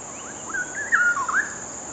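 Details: A perched pair of straw-headed bulbuls (Pycnonotus zeylanicus), one preening, sing a short repeated rhythmic duet to each other: a rich, liquid warble of gurgling, rising and falling phrases over a steady high insect hiss.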